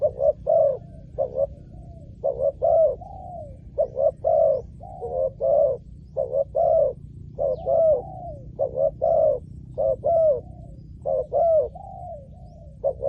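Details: Repeated low cooing of a spotted dove used in luring wild doves. Paired short notes and longer coos run almost without a break through the recording over a faint low hum.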